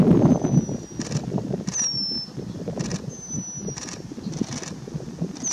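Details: Black-headed penduline tit in western Kazakhstan, 2017, giving thin, very high, drawn-out descending whistles, about one every second or so, over a steady low rumble and gusty rustling.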